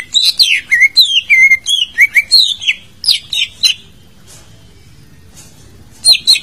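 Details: Lively greater green leafbird song for prompting a silent bird: a dense stream of about a dozen swooping whistles, some falling and some rising, lasting nearly four seconds before quiet and a brief final burst.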